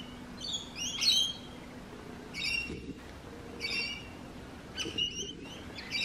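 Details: Noisy rainbow lorikeet calls: clipped, grating screeches in short bursts roughly every second or so, some doubled, with a loud harsh note near the start and steady low background noise.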